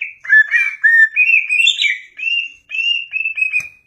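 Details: Cucak ijo, the greater green leafbird, singing lively 'gacor' phrases: clear, rippling whistles that step up and down in short bursts of warbling, almost unbroken for four seconds, with one sharp click near the end.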